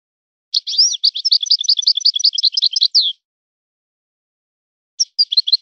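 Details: European goldfinch song in a breeder's style: a long, fast run of high twittering, slurred notes lasting about two and a half seconds, then silence, then a fresh burst of similar chirps. The recording is clean with no background.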